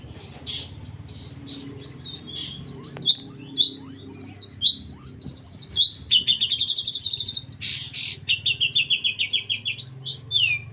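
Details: Oriental magpie-robin singing a song filled with imitated 'kapas tembak' phrases: varied high, rapid chattering notes, then a long run of quick repeated trills that alternate with short sweeping whistles. A faint low hum sits underneath.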